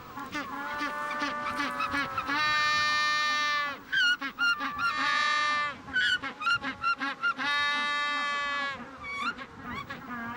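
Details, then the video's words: Male Magellanic penguin on the Patagonian coast, calling with head thrown back beside his chosen burrow before the female lays eggs; loud braying series of harmonic honks, long drawn notes alternating with rapid stuttered pulses, repeated over ten seconds. "He can only hope that the burrow he's chosen will be approved of, and he sticks to what he does best. He puts back his head and calls."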